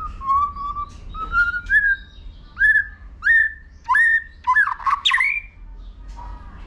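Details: White-rumped shama singing competitively with clicks and tail-flicking to stimulate young birds; a sequence of clear, mellow whistles, each sliding upward, at roughly half-second intervals, ending in a tangled loud flourish.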